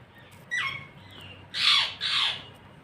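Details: Parrot calling: a thin downward-sliding whistle, then two loud, harsh, broad squawks in quick succession, each lasting about a third of a second, over a steady background hiss.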